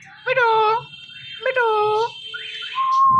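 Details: Talking pet parrot uttering two short speech-like syllables about a second apart, each a bending harmonic note, followed by a quieter chirp and the start of a steady clear whistle.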